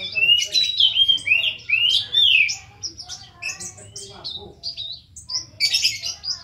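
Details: Lively Van Hasselt's sunbird pouring out a rich song full of inserts: loud, sweeping whistled slurs and rising-falling notes in quick succession, then thinner twitters and a final burst of high chatter.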